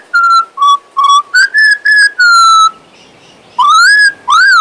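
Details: A male pet Western Australian magpie (Gymnorhina tibicen), whistling his tunes indoors while his lost voice returns, gives a run of clear, fluty whistled notes. Some are level and some rise then fall, in quick succession with a short pause.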